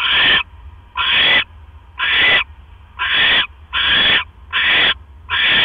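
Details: A barn owl nest just after 1 AM on 12 October 2015, male delivering another mouse: seven rasping, breathy screeches, each under half a second, with short quiet gaps and a faint steady hum between them.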